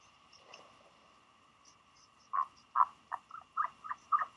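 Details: Uncertain Northern royal albatross chick on its nest at Taiaroa Head, Dunedin, 11 March 2020; quiet hum at first, then about seven loud croaky notes in quick succession during the final two seconds.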